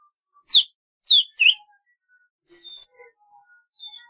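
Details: Golden-fronted leafbird: three sharp downward-sweeping chirps in quick succession, then a thin, high, steady whistle followed by scattered soft, quiet notes.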